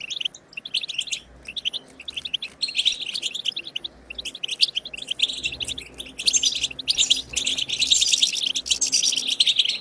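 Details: Goldfinch batbata khalawiya song meant to encourage kept goldfinches to sing: a long run of rapid, liquid twittering and buzzy trills, broken by brief gaps, rising into a busier, richer stretch near the close.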